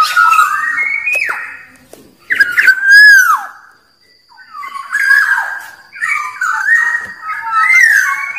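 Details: Song of a wild Black-naped oriole, meant to lure rivals: slurred fluty whistles, a loud mellow down-curving phrase, a short silence, then rougher, scratchier warbled notes mixed with whistles.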